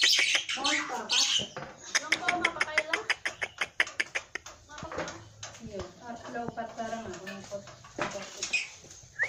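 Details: Black-winged myna singing hard with fill-in phrases: a burst of harsh screechy notes, then a long rapid train of dry clicks mixed with chattering, ending in scratchy calls.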